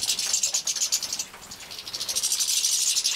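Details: During feeding, young captive-bred European goldfinches in Poland, 2017, produce a high, hissing, rapidly pulsed buzz that dips briefly in the middle, then swells again.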